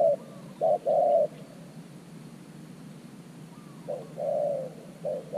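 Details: New decoy spotted dove luring wild doves to an earth-mound trap. Two brief coo phrases, a short note leading into a longer hollow coo, separated by a long quiet gap.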